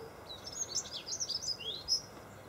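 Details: Singing Dunnock, Golden Hill Country Park, Freshwater, 21 February 2012: a close, continuous, hurried jingle of thin, high twittering notes with quick rising and falling slurs filling the whole stretch.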